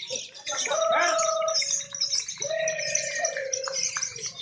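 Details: Contest lovebirds, scored on how actively they call; a rapid, high and dense chattering twitter runs throughout over two sustained mid-pitched tones, with crowd noise low in the background.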